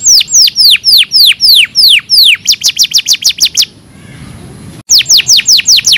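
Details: Canary song for training caged canaries: descending whistled notes repeated in a fast tour, shifting to quicker paired chips, a short quiet gap, then the falling whistles resume.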